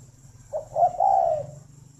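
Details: One cooing phrase from a spotted dove kept at a breeding farm in Ba Vì, Hanoi, Vietnam, recorded in the morning: a couple of short clipped notes followed by a smooth, rolling coo lasting under a second.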